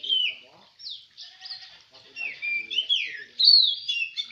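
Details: Oriental magpie-robin (kacer) singing at a songbird contest in Semende Perapau: loud, varied whistled phrases with sliding and falling notes, broken by short pauses, with faint human voices low in the background.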